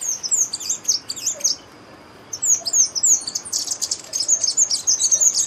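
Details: A Chestnut-vented Conebill (Conirostrum speciosum) sings a rapid, very high-pitched series of thin, sibilant chips and slurred notes, pausing briefly before resuming in quick bursts.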